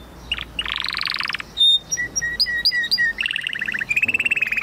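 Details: Canary song mixing a rising buzzy trill, clear whistled notes repeated about twice a second, and lower rolling trills that end in a fast twittering run.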